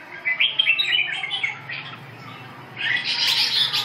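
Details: Red-whiskered bulbul delivering a rapid string of short whistled notes, then a quieter gap, followed by a louder, harsher and broader burst of sound at the close; faint low hum throughout.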